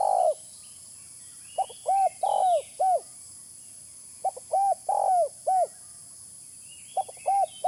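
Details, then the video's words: Lure recording of spotted dove calling: three matching phrases, each a brief clipped note followed by three or four soft, arched coos with the middle one longest, repeated about every two and a half seconds over faint distant twittering. "Suara pikat terkukur original"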